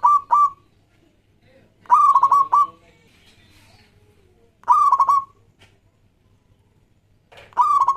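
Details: Local zebra dove singing as a lure for doves: quick clusters of staccato cooing notes with a rough, rich tone, phrases recurring roughly every two to three seconds with quiet gaps and faint low hum between.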